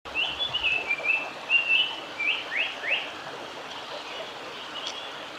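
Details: A male Japanese paradise flycatcher sings in Oiso, Kanagawa, Japan, on 20 June 2020: a quick run of high chirps and short slurred whistles, then a few sharp downslurred notes, over a steady background hiss.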